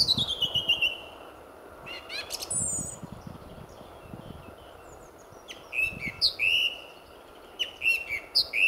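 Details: Lively male song thrush singing in the early morning just before sunrise at RSPB Fowlmere, February 2014; loud whistled phrases sweeping down, then a quiet gap and bursts of short, sharp repeated notes, with a faint hum beneath.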